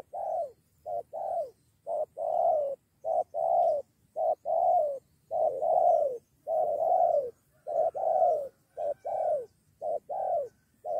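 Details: Wild spotted dove answering a lure bird during dove trapping, calling a companion to challenge the decoy, and a two-against-one fight nearly breaks out. It gives soft, hollow coos in quick clusters of two or three notes, repeated steadily.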